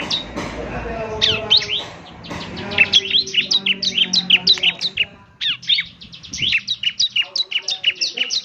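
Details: Young ciblek giving gacor song, played each morning to draw replies from other ciblek: high chirps in irregular bursts broken by short silences, then quick repeated notes toward the end.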